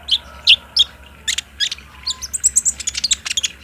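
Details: Speckled olive-backed sunbird (kolibri ninja) lure sound for captive birds: a few loud high chips, then a quickening run of thin, sharp twittering notes.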